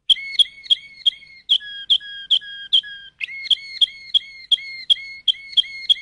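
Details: Waterslager (Malinois) canary singing a series of short, bright water-like notes repeated about three times a second, some phrases dropping to a lower tone, with faint clicks under the notes.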